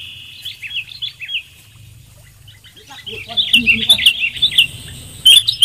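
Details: Sooty-headed bulbul lure sound with clear voice: a few soft warbled notes, a quiet gap, then louder rapid chirped phrases, with faint background sounds.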